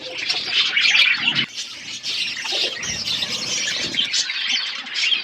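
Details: Budgies in a flock eating food, loud overlapping chirps and squawks filling the air continuously, with occasional soft rustling below.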